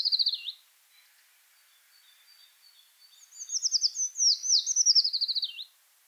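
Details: Eurasian treecreeper in the Wittlicher Tal: the tail of a thin high trill, a pause with faint distant notes, then a full rapid phrase of sharp, very high notes tumbling downward in waves before a final dip.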